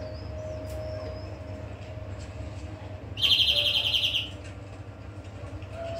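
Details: A steady low tone and faint notes fill the background, then a greenfinch gives a single fast, high trilled phrase of about a second, midway through.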